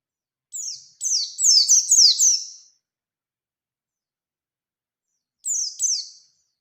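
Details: Bustomi-type Oriental white-eye singing in the wild-style 'ngalas' manner, a recording used to lure other white-eyes into singing. One phrase of rapid, very high, descending twittered notes. After a pause comes a shorter burst. No other sounds.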